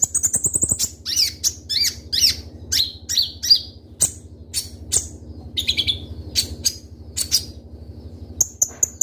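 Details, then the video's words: Kolibri Ninja (Konin), a sunbird kept by Indonesian bird keepers, in full 'gacor' song with sharp 'tembakan' shots: high, thin whistled notes and quick piercing chirps, some sliding down in pitch, in irregular bursts, over a low steady hum. "Suara Burung Kolibri Ninja Konin Gacor Full Isian Tembakan Tajam"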